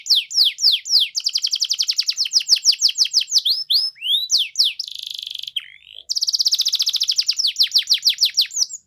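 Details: Canary singing gacor-style, used as a lure to prompt quiet canaries to answer: fast repeated downslurred whistles, then dense buzzy rolls, a short harsh tour and a brief pause before rapid trilling resumes.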